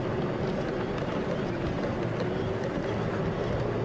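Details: Steady loud vehicle engine rumble with faint speech underneath, and no animal calls audible.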